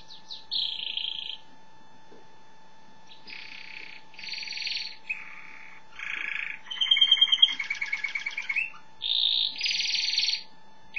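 A canary sings a lively run of bright, buzzy phrases and a fast rolling trill, with brief pauses between bursts, over a faint steady electrical hum.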